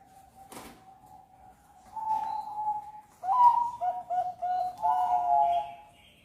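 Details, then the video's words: Zebra dove of the Bangkok type, played to prompt other birds to sing: a faint low coo, then louder steady and stuttering coo phrases at a similar pitch, with a sharp knock near the start. "pancingan perkutut Bangkok"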